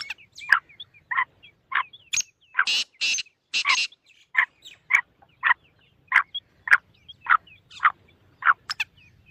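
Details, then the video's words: Black francolin giving short, harsh notes about twice a second, broken midway by a few loud grating, buzzy bursts; a call meant to quickly rouse a kept black francolin. "kala teetar ko jaldi mast karne wali awaz"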